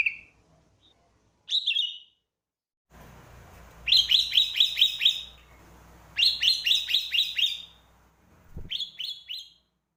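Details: Sooty-headed bulbul singing for luring birds: short bright notes, then two fast bursts of six or seven repeated chirping notes, rapid and even, over a steady background hiss, with one low thump near the end.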